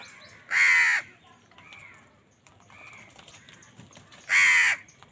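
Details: Crow calling loudly while fighting for food: two harsh, broad, raspy caws about four seconds apart, each lasting under half a second, with quieter distant caws between.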